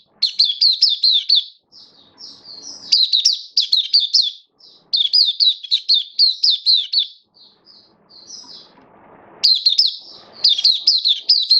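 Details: Kept oriental white-eye of the Kitaro type, in somewhat reduced form, gives bursts of rapid, high, twisting whistles separated by short pauses, with softer quieter notes and faint low background rustling between phrases.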